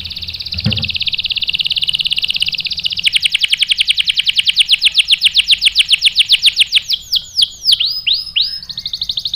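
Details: Canary singing a bait song meant to agitate other canaries into answering with sharp rolls: a high steady buzz, then a rapid even trill of ticking notes, ending in faster downward-sweeping whistled notes.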